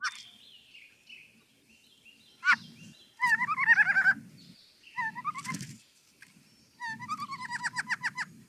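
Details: A Canada jay (whiskey jack, gray jay), a bold winter bird in Manitoba, gives bursts of whistled, warbling notes, rising and falling in quick chattering runs, with a low hum underneath.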